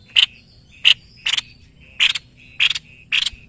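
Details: Brisk, cracking chips from a white-bibbed babbler, an Indonesian master songbird, fall about every half second. Some are doubled, and thin, steady whistles run between them.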